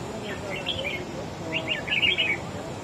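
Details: Caged wild-caught red-whiskered bulbul dueling in song with another bird: two bursts of quick, slurred whistles, the second louder and more tumbling, over a soft steady hiss.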